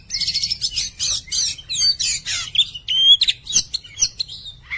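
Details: Caged Oriental magpie-robin, kacer poci, singing loudly: quick bursts of sharp chattering notes, then clear pure whistles rising and falling, short pauses between phrases.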